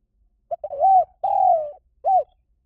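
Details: Spotted dove call used as a lure to draw wild doves in, a short opening note then two long, low, smooth coos and a final short coo, in a quiet setting.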